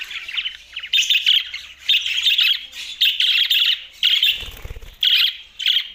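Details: Budgerigar chirping in bursts of rapid warbled chatter about one second long, separated by short pauses, with a brief low thump partway through.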